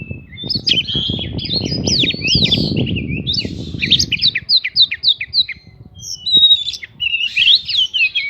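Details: Oriental magpie-robin pouring out prinia-imitating lure song meant to make other birds respond: scratchy, fast whistled phrases and squeaky chirps, with loud low rumbling noise over the first half, then clearer sharp notes after short gaps.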